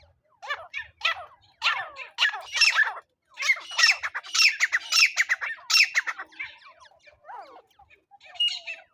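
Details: Francolin sound for luring birds into a net: a rapid run of scratchy, rasping notes with downward-sweeping tones, growing denser and louder midway, then thinning to scattered calls.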